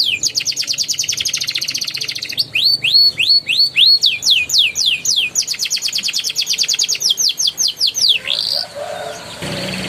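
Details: Young canary song used as a prompt to get silent canaries singing, in the rolling and chattering style: fast buzzy trills, then repeated rising sweeps, then rapid clipped notes, ending in a falling slur and quiet hiss.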